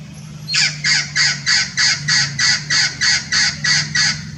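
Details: Blue-fronted x Red-crowned Amazon parrot hybrid at Irvine Regional Park, Irvine, California, 9 January 2018 (winter), gives about eleven harsh, raspy squawks, roughly three per second, over a low background hum.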